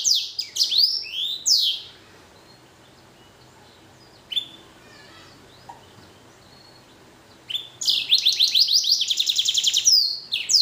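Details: Blackthroat crossed with canary, a captive hybrid finch, gives bursts of high sweeping whistles, falls quiet for several seconds with a lone chirp, then breaks into a rapid, even trill of repeated notes; faint room hum beneath.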